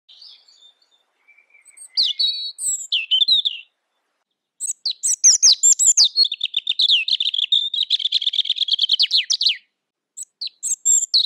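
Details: Kept Pekin robin, said to come from China, recorded as a tutor song for training other cage birds: high, fast warbling with repeated trilled notes and whistled slurs, a pause near four seconds, then a long rapid chattering run.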